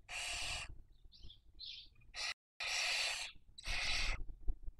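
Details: Barn owl at a nest in Cabañeros National Park, Castilla-La Mancha, Spain, raising young during the 2023 breeding season: repeated loud, breathy hissing screeches of about half a second, with two soft squeaky notes between them.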